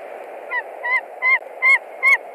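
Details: At a Latvian nest in March 2021, a white-tailed eagle screams as a stranger, probably a young eagle, visits the branch. Five clipped, ringing yelps rise in strength and arrive roughly every third of a second over steady hiss.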